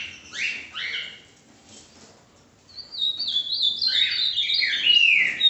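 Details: Ultramarine grosbeak song: a pair of quick descending whistled notes, a short pause, then a longer, louder run of slurred, warbling whistles rising and falling, ending in a bright upward sweep.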